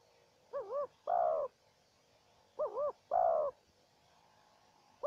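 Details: Spotted dove cooing in a calling duel between a trapper's decoy bird and a wild dove. Two phrases, each a quick wavering double note followed by a longer steady hooting coo, separated by a pause. The background is quiet.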